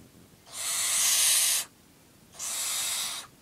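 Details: During a feed, a nine-week-old barn owl produces two drawn-out hissing screeches, the first louder and over a second long, the second a little quieter.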